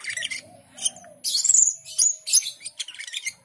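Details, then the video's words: Asian pied starling in full song, dense scratchy chatter and squeaky high whistles in quick succession, with a faint low hum underneath. "Jalak keling gacor dor"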